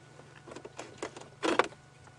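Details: Babblers alarm calling in the bush during an evening safari drive, with a leopard being tracked nearby, give harsh, rasping chatter in short bursts, loudest in a churring volley near the end, over an idling vehicle's drone.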